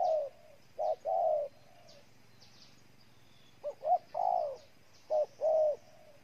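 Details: Spotted dove in Ninh Thuận, Vietnam, giving spaced coo phrases: a brief note, a quick double note, then a long soft falling coo, with pauses of a couple of seconds and light background chirps.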